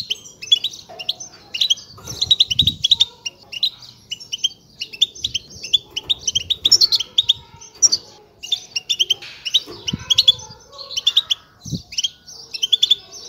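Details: Long run of European goldfinch chick begging, given to stimulate males to sing: dense, almost continuous high chattering chirps, rising and falling in bursts, with a few brief low thuds.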